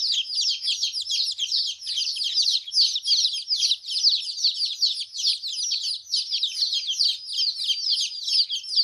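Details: Young chickens chirping together: steady stream of shrill, short falling peeps from several birds at once, about two or three per second in an uneven, lively rhythm.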